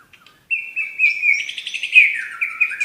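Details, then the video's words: Medan white-rumped shama delivering 'tembakan' song: after a brief pause, a steady clear whistle runs into a dense, fast sequence of sweet, slurred, trilling notes that dip lower toward the end, clean and close. "tembakan burung murai batu medan"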